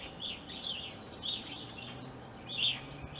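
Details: Several Evening grosbeaks in an Ohio yard, an uncommon species there, winter through spring (April 2021). Loud piercing chirps repeat unevenly about every half second to second over light background noise.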